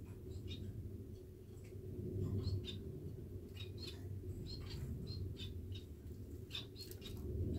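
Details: Two pet society finches groom after bathing, pressed close together indoors; brief high chirping notes come in irregular quick runs above a strong low hum.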